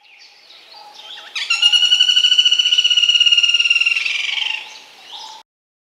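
A Black-rumped Flameback gives a loud, rapid rattling trill lasting about three seconds, harsh and even in pitch, with faint background sounds before and after.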